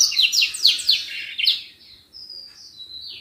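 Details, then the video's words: Common iora, known locally as senger, singing hard as a tutor recording for songbirds: a rapid series of about six sharp downslurred notes, then drawn-out thin high whistles that fall at the end. "Burung Senger gacor buat masteran"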